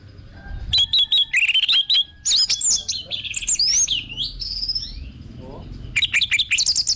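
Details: Orange-headed thrush, recorded as a lure to spur caged thrushes to sing: rapid clusters of shrill, twisting whistled notes, some rising and falling, then a quieter stretch and a final burst.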